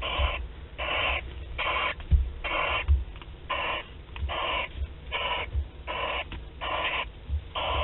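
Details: Start of courtship between barn owls, Théding, 28 February 2021, recorded on a webcam: a steady series of breathy, rasping hisses, about ten bursts each roughly half a second long and evenly spaced, over a low rumbling background.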